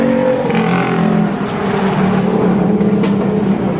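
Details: Loud, droning engine noise of a running vehicle with fluctuating pitch.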